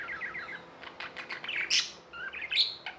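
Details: Pet budgies giving quick chirps and short rising whistles, with a couple of harsh, louder squawky bursts and some rustling among the calls.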